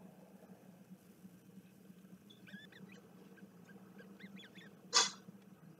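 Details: Bermuda petrel calling, recorded 06 04 2021: a cluster of short, quavering, upward-bending notes with stacked overtones over about two seconds, then a loud sharp knock, all above a constant low electrical hum.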